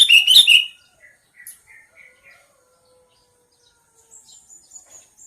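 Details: Sooty-headed bulbul calling: one loud, bubbly burst of rapid chattering notes at the start, followed by a few soft, short notes and faint high twittering near the end.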